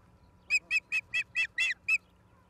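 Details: Osprey at a nest in Charlo, Montana, on 11 September 2023 at 16:04, picked up by a live nest camera: seven sharp, high whistled chirps in quick succession, about five a second, over faint lower calls from other birds.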